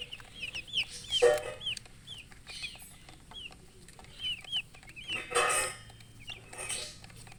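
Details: Thirsty colourful baby chickens crying for drinking water, each peep a clear, high, arched note, spaced irregularly, broken by loud rustles and knocks as the chicks move about.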